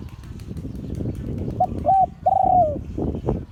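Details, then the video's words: Spotted dove cooing in the Liu Tan style of an auspicious line. One mellow three-part phrase, two brief notes then a drawn-out falling note, over steady low rumbling background noise. "เสียงขันนกเขาใหญ่ # หลิ่วตัน"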